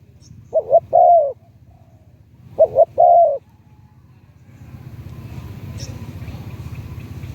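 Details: Thai spotted dove decoy with a medium-to-deep voice gives two coo phrases, a quick double note then a drawn-out coo, before rising low noise and a man speaking briefly.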